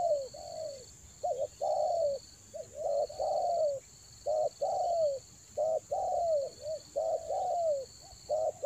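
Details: Toba spotted dove lure call for the rainy season: steady, closely spaced coos, with short clipped notes alternating with longer arched ones, over a constant shrill insect-like tone.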